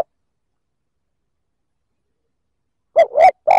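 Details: After a long silence, one spotted dove cooing phrase aimed at provoking other males: two quick hoots followed by the start of a longer low coo.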